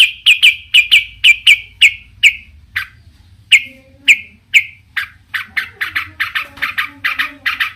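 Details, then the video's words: Long-tailed shrike in vigorous song meant to anger other shrikes into joining in: repeated clipped mid-high notes, a brief pause, then a quicker chattering run of rasping chirps. "cendet gacor Variasi BIANGNYA bikin cendet lain emosi ikutan bunyi langsung NYAUT"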